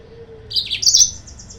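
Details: Yellow-fronted canary lure song for provoking rivals: a brief, bright, high warble of rising and falling slurred notes, then a short series of thin repeated notes, lasting about one second.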